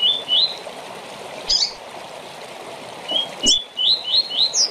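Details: Rusty-collared seedeater short song used to train for tournaments: a pair of upslurred whistles, a pause, then a quick run of five rising whistles ending high, over watery hiss.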